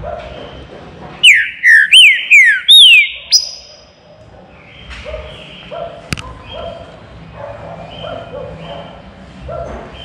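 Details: Caged green-winged saltator in a flight aviary, singing a baruc-style phrase of four or five loud, clear whistles, each sliding downward, followed by softer chirping from other birds.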